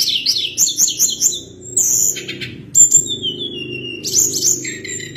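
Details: Sunda blue robin singing steadily: fast, repeated high whistled phrases, some wavering and some sliding down, continuing almost without pause over a constant low hum.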